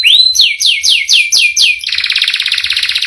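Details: Canary song, long and rolling: six loud descending whistled sweeps about every quarter second, then a fast buzzy trill of rapid repeated notes.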